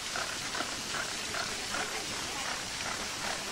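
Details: Flamingos at Marwell Zoo in the UK: a flock giving nasal, honking calls that repeat in quick pulses about every half second, layered over a steady hiss of splashing fountain water.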